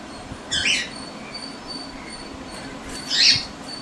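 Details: Two pet cockatiel sisters squabble one morning, with the usually calmer one starting it, exchanging two harsh, grating, short screechy squawks; neither bird is hurt.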